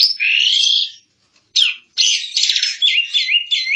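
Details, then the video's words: Vigorous song of an Asian pied starling, used to tutor songbirds: a long loud whistled note, a pause, a swooping call, then a dense run of harsh, rattling and whistled phrases. "Kicau burung jalak suren |Burung kicau jalak suren masteran|jalak uren gacor 2022"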